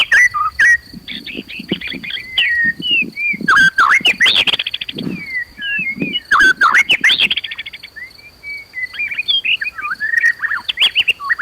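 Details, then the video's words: An emotional white-rumped shama sings to provoke other birds to fight and sing. A long, loud, varied stream of whistles, slurs and sharp chips is heard, with a smoother whistled phrase near the end and a steady high tone underneath. "PANCINGAN MURAI BONGKAR ISIAN BIKIN KONSLET"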